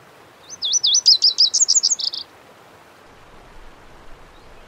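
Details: A single song phrase of a Lazuli bunting from western North America: an upslurred note, then a fast series of high, sharp chirps that end in buzzy paired notes. Silence follows for two seconds.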